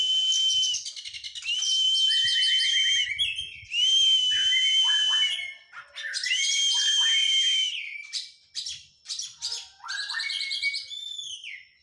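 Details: White-rumped shama male in training after moulting, singing loud clear whistles and rapid rattling trills in long phrases separated by short pauses, with sharp chattering notes toward the end.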